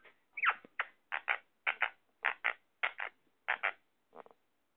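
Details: Sindhi parrot, an Indian ringneck parakeet, talking: one rising squeak, then rhythmic double syllables repeated about six times at an even pace, ending in a softer stutter.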